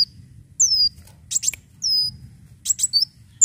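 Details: Leafbird lure song: long high whistles sliding downward, alternating with brief bursts of sharp chattering notes.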